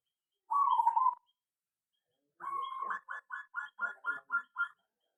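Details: Zebra dove in an aviary: a steady mid-pitched cooing note, a pause, then a rapid run of about eight short, evenly pitched notes. The setting is quiet.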